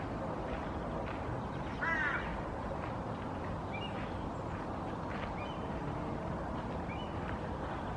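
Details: Soft nest song from a female Hooded Crow (Corvus corone cornix) sitting on the nest: a short hoarse, layered call near the two-second mark, then small rising chirps, all over constant low rumble.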